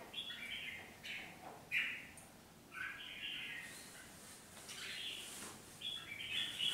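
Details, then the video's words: A red-whiskered bulbul decoy bird that has nearly finished moulting gives short, bright chattering phrases in bursts of about a second, with brief pauses between them, against faint background hiss. "Chào Mào Mồi Đã Thay Lông Gần Xong Ché Chéc"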